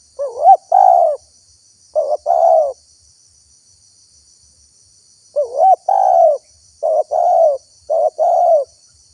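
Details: Lure recording of spotted dove calls for attracting wild doves: bursts of low coos, a wavering rising note then short and long hoots, two phrase groups separated by a few seconds of quiet.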